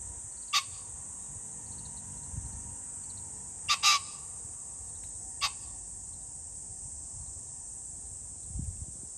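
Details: Pheasant calling on 21 July 2024: a loud, harsh double burst near the middle, with a few single sharp clicks before and after, over a constant high-pitched buzzing drone in the background.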